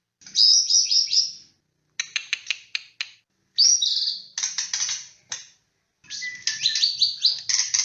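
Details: White-rumped shama (murai batu) lure song: high buzzy phrases alternating with rapid dry clicks, ending in a dense mix of varied high notes.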